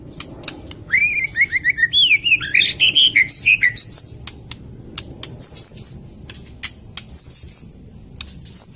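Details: Lure song of a White-rumped shama for birds that will not sing, are stuck, or have finished molting: a burst of rich rising whistles, then sharp clicks and short high piercing notes repeated about once a second.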